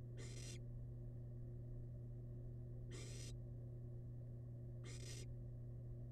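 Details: A feeding wild barn owl chick in its nest box hisses three times, each burst breathy and noisy, roughly every two and a half seconds, over a low continuous hum.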